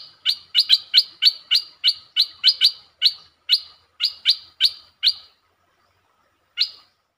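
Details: Streak-eared bulbul recorded 13 February 2023 among varied songs, giving a fast series of sharp, high, clipped notes about every third of a second, then slowing and stopping, with one final note after a pause.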